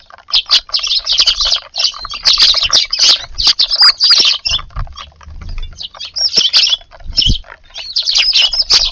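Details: Wild sparrows gathered in a garden for evening food in March, a busy flock giving dense overlapping high chirps and squeaks almost without pause, with a few soft low thumps.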